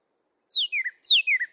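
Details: Male Northern Cardinal song: two loud, clear whistles, each slurring steeply downward from high to lower pitch, delivered about half a second apart.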